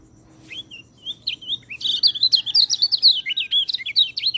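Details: Song of a white-eye used to train reluctant singers: a few high whistled notes, then a fast, dense chatter of sweet, wavering twitters that rise and fall continuously.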